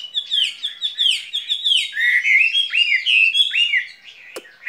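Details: Skylark in a cage pouring out a fast, continuous warbling song of bright chirps and swooping whistled notes, ending with one sharp click.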